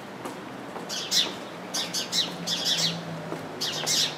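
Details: Several house sparrows in a bush, one chirping as it sits among many others; clusters of quick, piercing chirps come in irregular bursts, with a faint low hum underneath.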